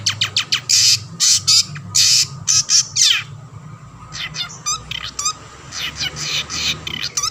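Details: Long-tailed shrike in full song, used to draw other shrikes into singing: loud harsh bursts and rapid rising frequency-swept notes, then quieter chattering phrases with squeaky trills.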